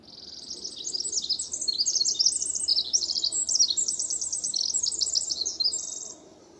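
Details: Territorial male Pacific Wren in spring forest of moss and ferns at Peavy Arboretum and McDonald Forest, Coast Range foothills, singing while a neighbouring male replies: an unbroken six-second stream of high, fast twittering trills and warbled notes.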